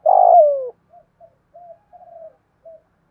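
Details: Spotted dove with 'thổ' voice, a decoy for luring birds: one long, loud, buzzy coo sliding downward, followed by several faint soft murmured notes.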